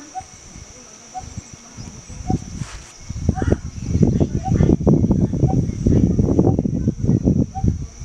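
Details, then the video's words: Coppersmith barbet gives a soft, hollow, metallic 'tuk' note about once a second in a steady rhythm, partly covered by louder low rumbling and voice-like noise. "Coppersmith Barbet (Pokpok)"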